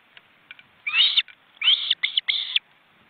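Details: Webcam nest of wild ospreys in an Estonian forest reserve, with large chicks exercising their wings beside the adults. Four high, harsh, squealing whistles, the first longest, the last three in a quick broken group.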